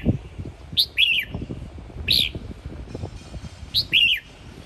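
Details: Red-whiskered bulbul from Sông Kon, Quảng Nam, gives short, bright, liquid whistled phrases, each rising then falling, in three bursts about a second and a half apart, over a low background rumble.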